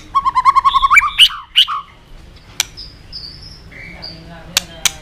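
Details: White-rumped shama song used as lure material for training other shamas to sing: opens with a quick run of repeated nasal notes, then a few loud chips, and ends with thin, high, spaced whistles and scattered clicks.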